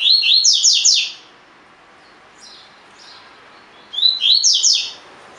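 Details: Collared seedeater, a caged bird singing the tui tui fibra song style used as training audio: a short burst of rising, whistled slurred notes sped into a fast twittering run, pausing about three seconds before the next phrase begins.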